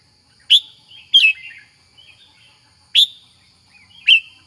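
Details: Caged red-whiskered bulbul, a songbird kept for singing contests, gives loud sharp chirps about once a second, each trailing into soft warbled notes, with a steady faint high tone running in the background.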